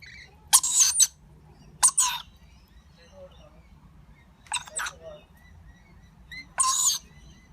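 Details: Young lorikeet feeding with its parents, giving scattered harsh, buzzy squawks with some thin whistled notes, a few bursts spread across the clip amid quiet low background noise.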